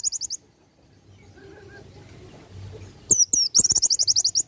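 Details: White-eye singing the ngalas nembak style, used for tutoring: a short high chirp series, a quiet stretch with low rumble, then a loud rapid string of piercing, evenly spaced notes.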